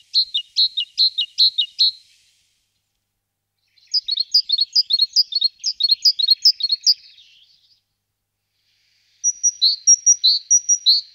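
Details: Great tit (Parus major) settling into a nest box gives three bursts of quick, high, paired chipping calls, about six to eight notes per burst, with short silent gaps between.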